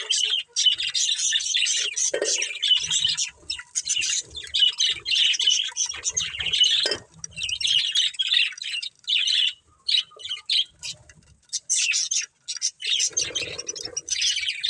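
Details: A family of pet budgerigars chirping: dense, high warbling chatter in busy bursts, broken by short pauses near the middle and end, with faint low knocks underneath.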